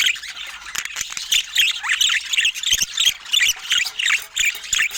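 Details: Flock of budgerigars filmed in natural Scandinavian light, giving busy overlapping chatter of short squawky, trilled chirps about three per second, high-pitched and scratchy, with occasional faint clicks.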